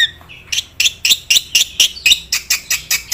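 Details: Black-winged myna, from training material meant to get other mynas singing: a faint whistle, then a steady series of rough, buzzy, scratchy calls, about four per second, over a low background hum.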